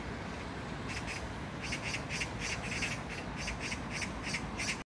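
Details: Magpie (까치) in Jangdumot neighbourhood park, Gyeyang-gu, Incheon, South Korea, on June 19, 2022: a run of harsh, rasping notes repeated about three times a second over a steady low rumble.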